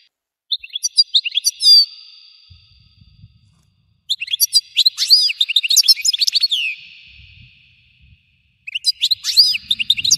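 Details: European goldfinch giving a powerful, intense 'explosion' style song, three bursts of rapid, high, liquid twittering mixed with buzzy trills and sharp chirps, each lasting one to three seconds and separated by short silences; faint low thumps between phrases.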